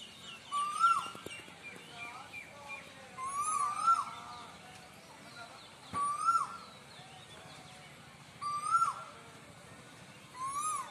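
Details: Cuckoos calling: a clear, mid-pitched slurred note that rises then drops, repeated about every two and a half seconds, with a thin high whistle alongside each call and faint background chatter.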